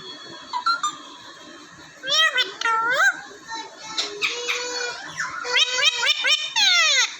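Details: Alexandrine (Raw) parakeet indoors in a small room in Vehari, Punjab, Pakistan, kept with other parrots and recorded on a mobile phone. It gives a run of loud, harmonic, speech-like squawks and bending whistled notes while people talk nearby.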